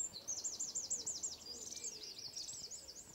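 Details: Eurasian wren producing a quick series of high, repeated swooping notes that turn into a chattering trill, partly masked by steady background hiss.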